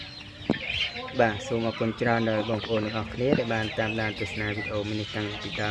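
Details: Raised from small, a tame waterhen used as a decoy cries out as the camera and a hand come close. It gives a long, steady series of loud, nasal, harmonic croaks, with a short sharp click early on.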